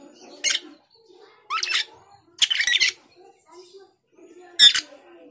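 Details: Rasping, screechy bursts from a male cucak keling challenging a rival, four separate calls with one longer double burst in the middle, quiet gaps between them.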